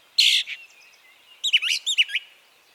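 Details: Brown Thrasher from Harvey County, Kansas, a species that repeats each song phrase once, twice or three times: a sharp harsh burst, a pause, then a quick cluster of bright chirping and whistled notes.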